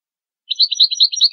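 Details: European goldfinch song for tutoring goldfinch and hybrid chicks: a rapid, continuous run of bright tinkling twitters after a short silence, clean background.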